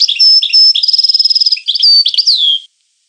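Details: European goldfinch singing a bright, fast song of tinkling notes, a dry trilled passage and clear whistled tones, ending in a falling slurred whistle; no other sounds.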